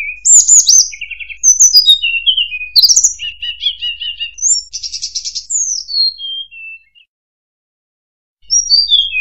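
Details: Murai buluh (tledekan) song: bright high whistles and descending note series with a buzzy trill mid-phrase, falling silent briefly before resuming.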